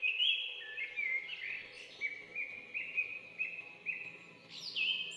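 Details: Bulbul singing a run of short, bright whistled phrases, one liquid note slurring into the next, then a steady string of similar notes repeated about every half second before a higher closing phrase; faint low hum behind.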